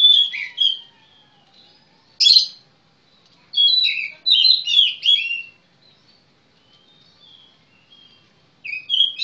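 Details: Oriental magpie-robin (kacer) delivering bursts of rich, varied whistles and chirps separated by pauses of one to two seconds, including a sharp harsh note and a run of warbled phrases, with no other sounds.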